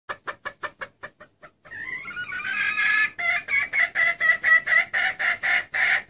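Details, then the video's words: Female red junglefowl call used as a lure to draw in males: a run of short clucks, then a brief pause, then loud rhythmic nasal notes repeated about four times a second. "SEUARA PIKAT AYAM HUTAN BETINA"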